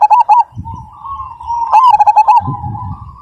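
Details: Zebra dove of the Majapahit type, described as big-voiced: several strong, rhythmic coo pulses at the start, a softer rolling coo, then a second loud burst of about six pulses, with faint low rumbling.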